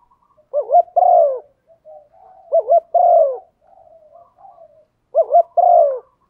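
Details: Female spotted dove cooing to urge a male on: a phrase of two quick dipping notes followed by a long falling coo, given three times about two and a half seconds apart, with soft murmurs between.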